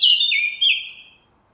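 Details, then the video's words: Eurasian blackcap giving a short clear whistled phrase, two fluting downward-sliding notes fading out within about a second, against a quiet background. "Mönchsgrasmücke (Sylvia atricapilla)"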